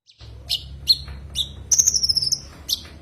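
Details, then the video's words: Common iora calling to a rival, giving a few sharp chip notes then a drawn-out high whistle sliding slightly downward, ending with another chip; faint low hum underneath. "Suara kicau Burung konin memanggil lawan"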